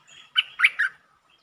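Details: Streak-eared bulbul, recorded 13 February 2023 delivering several song styles; a short phrase of three bright, slurred chirps in quick succession, the middle one loudest, against a quiet background.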